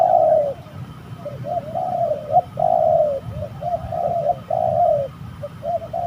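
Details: Spotted doves fighting during bird trapping at an eerie spot in Indonesia; rapid series of low hoarse coos, chattering and repeated in short bursts with little pause.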